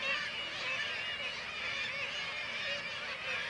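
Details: During white-tailed eagle attacks on kittiwake chicks in Varangar, Norway, the colony keeps up an unbroken clamour of overlapping whining, wavering calls, strongest at the start and close.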